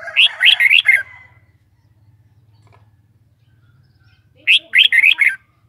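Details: A red-whiskered bulbul sings two rapid chirpy phrases of about five whistled notes each, separated by a pause filled with a low steady hum.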